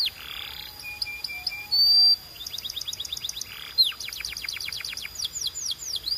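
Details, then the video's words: Canary song with varied phrases: short flat whistled notes, a brief buzzy burst, then fast rolls of repeated downslurred notes building into rapid sweeping trills, high-pitched and clear. "Relaxing Canary Singing Sounds for Bird Lovers"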